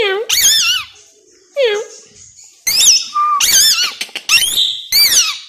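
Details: A tame 3-year-old male pet plum-headed parakeet talks in Urdu/Hindi words such as "Mithu", with short shrill warbling speech-like bursts, squeaky wavering notes and brief pauses. He also mimics a cat and a crying baby.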